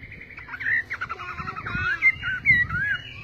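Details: Chinese hwamei singing: a rapid, varied stream of clear whistled and slurred notes, some warbled, some bright and rising, closing with sharp high whistles over a low background rumble.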